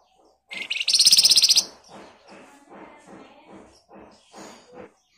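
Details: Flamboyan singing in a dense rattling style, used as a lure so other birds answer quickly: a loud, very high, fast trill lasting about a second, followed by softer low rustling and knocking.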